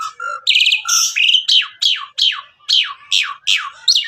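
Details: Javan pied starling of local Javan stock in full song: loud, harsh downward-sweeping notes repeated almost three times a second, after a short opening run of buzzy and whistled phrases. The recording is clean with no other sounds.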